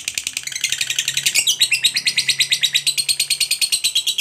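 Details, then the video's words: Ngekek of a pet lovebird, a long trill said to make other lovebirds call too: quick, sharp, high repeated notes, growing louder after the first second, with a brief pitch break midway. "Suara Burung Lovebird Ngekek Panjang ini, MENARIK Lovebird Lain Untuk Ikut BUNYI"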